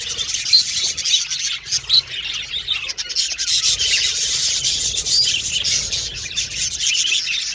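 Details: Several budgerigars, kept as pets, chirping and chattering continuously: dense high twittering with rasping, scratchy notes and occasional brighter whistled chirps.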